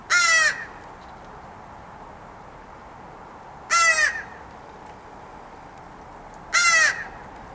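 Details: Three hoarse caws roughly three seconds apart, each short and forceful, from a crow in a family fed each morning; recorded 9/10/2014 outdoors with steady low background hiss.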